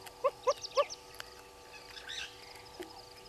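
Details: Southern red-billed hornbill below a camera at Gowrie dam waterhole, Djuma Game Reserve, Sabi Sand Wildtuin, South Africa: three short hollow clucks about a quarter-second apart, with faint chirps of other birds behind.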